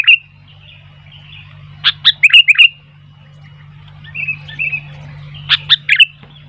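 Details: Sooty-headed bulbul in full song, drawing wild bulbuls to call: two clusters of sharp, liquid chirps with softer, fainter warbled notes between them and a constant low hum beneath.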